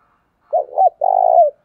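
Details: Decoy spotted dove used to train other decoys and lure wild doves: one short cooing phrase, two quick low hoots followed by a longer rolling, vibrato coo that slides down at the end, clean with no background.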